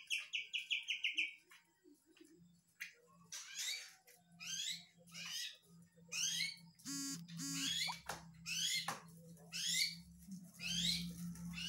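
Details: Young Medan-type White-rumped shama with kapas tembak mimicry in its song: a short trill opens, then sharp upswept whistled notes spaced about a second apart, a brief rattled phrase, over a steady low electrical hum.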